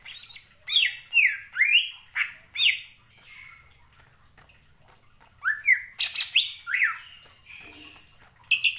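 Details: A greater green leafbird singing after hearing another bird's song: loud, harsh slurred phrases sweeping up and down with squawking quality, in two bursts separated by a quiet gap of about two seconds.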